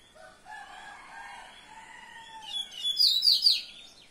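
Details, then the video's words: Common seedeater: low, soft whistled tones drift for a few seconds, then a loud, rapid cluster of high chirps bursts out and fades away. "Papa Capim Comum"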